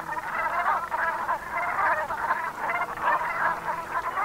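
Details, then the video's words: Autumn evening recording of Brent geese, Gulf of Morbihan, France, 7 November 2021: a thick wall of raspy, croaking goose chatter pulsing steadily throughout. "BERNACHES Cravants/Automne/Ambiance Sonore"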